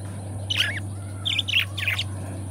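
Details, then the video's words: Pet budgerigar pair: a scratchy chirp, a short pause, then three bright high chirps in quick succession, with a steady low electrical hum beneath. "Budgie Sounds: Birds Singing You to Sleep"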